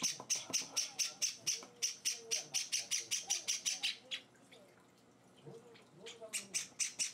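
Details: Hand-fed Java sparrow chicks, four days in their new home, give rapid rasping high chirps in a quick even series, pausing for about two seconds before starting again; faint quiet voice in the background.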